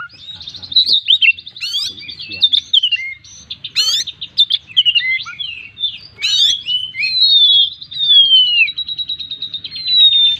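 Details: Oriental magpie-robin (kacer) in full, vigorous song packed with fill-in phrases, offered as a lure to set other birds singing: varied high whistles, rapid trills, and a long sweeping whistle that slides downward.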